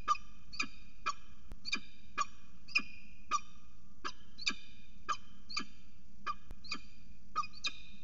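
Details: Northern goshawk calling at a water tower nest, a pair mating on the nest edge; loud harsh calls rich in overtones repeat roughly every half second over steady low background hum.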